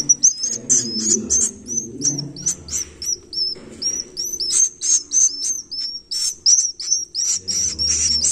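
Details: Swiftlet nestling begging heard as a fast, uneven stream of very high, thin chirps that dip downward, mixed with raspy hiss bursts; a low hum at the start and end.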